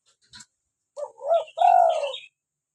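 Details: Cooing of a local spotted dove in full voice, a rising bubbling note then a long purred coo, overlaid by thin higher chirps and a click at the start.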